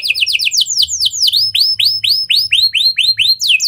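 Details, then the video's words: A canary imitating lovebird and prinia phrases, used to draw song from other canaries; quick descending sweeps speed into loud, evenly spaced upswept whistles, roughly two per second. "Kenari Gacor Cengkok Lovebird & Prenjak! Ampuh Buat Pancingan Kenari Lain Agar Gacor Panjang"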